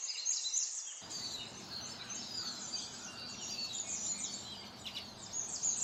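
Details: Songbirds in spring countryside: a dense chorus of high, overlapping chirps and twittering notes, several birds at once, with a steady low rumbling background that starts after the first second.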